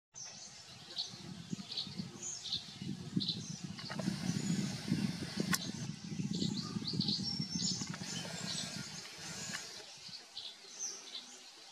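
Tree swallows twitter in scattered, liquid high chirps over a steady low rumble of wind or traffic.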